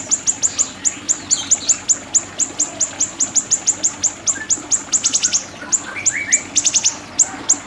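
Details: Tutor recording of siri-siri song: rapid, evenly spaced high ticking notes with buzzy trilled bursts in the middle and end, and short rising whistles lower down.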